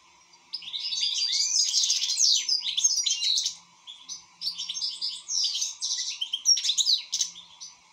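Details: Goldfinch singing long runs of fast, liquid twitters and chirps, high-pitched and jumbled, one extended phrase then a second after a brief break, over a low steady hum.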